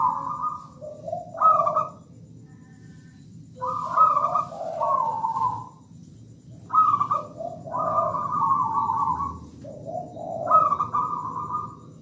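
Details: Zebra dove, a local wild bird, in full song: four rhythmic phrases, each a short high trill, a lower burred coo, then a longer high rolling coo, spaced roughly every three seconds against faint low hum.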